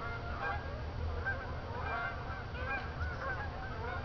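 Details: Night flight of geese returning from a field to Jourdan Lake at Lake Odessa, Michigan. Steady stream of mid-pitched honks from many birds at once, overlapping and uneven in rhythm, over a deep continuous rumble.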